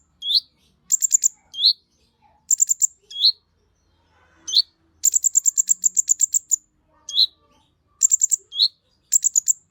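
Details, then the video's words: Fiery singing by an olive-backed sunbird, used to provoke other sunbirds. Sharp slurred chips and brief high bursts lead into a long, rapid run of piercing notes midway, then more short bursts. "Pancingan Burung KONIN gacor emosi untuk KOLIBRI NINJA ijoan sampe metalik"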